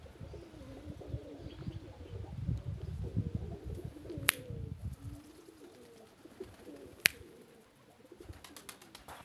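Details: Released homing pigeons, described as joyful, keep up low wobbling coos, joined by two sharp clicks and a burst of rustling near the end.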